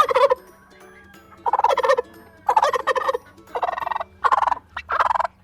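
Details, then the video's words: A turkey gobbles in six rapid, rattling bursts, each under a second, spaced roughly a second apart, over a faint low hum. "That was a turkey gobble."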